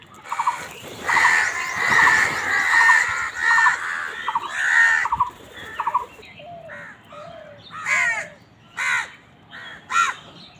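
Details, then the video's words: Crows fighting over food give a dense burst of harsh, overlapping caws. Later they thin out into separate, hoarse calls roughly every second, with some higher chattering notes among them. "Crows fight for food Crow Sound কাকের ডাক"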